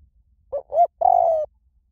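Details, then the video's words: Small-voice style coo of a spotted dove, used as a lure so that other doves answer. Two brief rounded notes lead into a sustained, slightly falling, trilled coo. Faint low rumble underneath. "เสียงนกเขาใหญ่ เพื่อเปิดล่อ นกเขาใหญ่ฝึกต่อให้ขันตาม - เสียงเล็ก"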